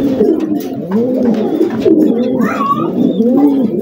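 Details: Farm pigeons cooing: low, throaty, rolling coos that rise and fall in overlapping phrases, with a faint higher chirp or two in an enclosed space.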